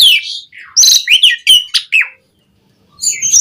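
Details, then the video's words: Asian pied starling singing to stimulate caged birds: a scratchy opening, then a burst of varied whistles and harsh clicks, a short silence, and more high warbling notes. "Suara Burung JALAK SUREN GACOR Full Isian Pancingan PENDONGKRAK Emosi Burung Jalak Agar Cepat Gacor"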